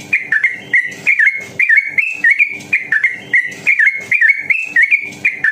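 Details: Sooty-headed bulbul singing rapidly and at length in the ropel style, meant to provoke other bulbuls into song: repeated short whistled phrases of bouncing up-down notes, steady and unbroken throughout.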